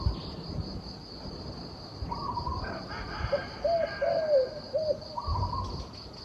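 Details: Turtle dove delivering one soft cooing phrase of short and longer notes in the middle, a higher brief call before and after, over a noisy background and a constant shrill hum.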